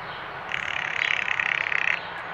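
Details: Female blue jay, perturbed at an empty feeder, giving a rattle call, a female-only call often paired with bobbing: a dry, rapid clicking rattle lasting about one and a half seconds, steady in pitch, over light background hiss.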